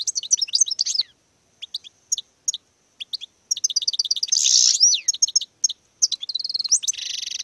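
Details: Goldfinch in courtship display, singing bursts of rapid, high twittering notes broken by brief pauses, a rasping buzzy section midway, and a sustained harsh trill at the close.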